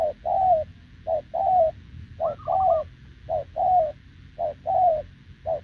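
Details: Spotted dove, wild-caught adult with short legs, cooing together with a decoy on 6 November 2024; evenly spaced couplets of a short low hoot and a longer falling coo, one higher quavering phrase mid-sequence.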